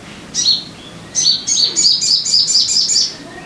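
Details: Sogon song used as a lure to make caged birds sing: a high, sharp chirp, then a rapid run of bright, repeated up-and-down twittering notes.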